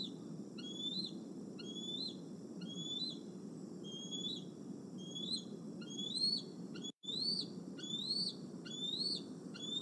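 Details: Bald eagle, male, on the Decorah nest cam, evening of 26 August 2020, moving between branches and pulling at cables; loud rising whistles repeated near once per second, brief dropout near the end.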